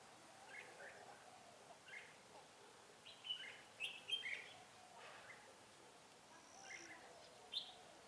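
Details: Red-whiskered bulbul recorded during a trapping session on 12 February 2017 in which a bird was caught; faint, short warbled chirps rising and falling in scattered bursts, clustered around the middle, over steady background hiss.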